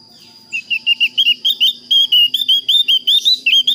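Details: Javan grey-throated white-eye calling a rival in a clear voice: a quick string of sharp, whistled chirps that edge gradually higher, roughly four to five notes per second, over a faint low steady hum.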